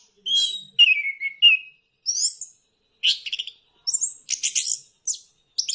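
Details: Orange-headed thrush singing, used as a lure to get birds singing: separate bursts of varied whistles and harsh, scratchy high notes, with short gaps between the phrases, over a quiet background.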